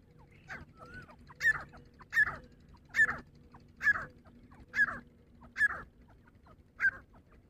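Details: Female grey francolin, locally dhakni teetar, giving fighting calls: a steady run of seven loud, harsh, grating notes roughly every 0.8 seconds, with faint softer notes between them.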